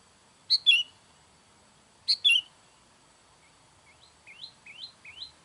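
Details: Sooty-headed bulbul calling to attract wild bulbuls: two sharp chip-and-warble phrases, then a quick series of softer rising whistled notes repeated about every half second.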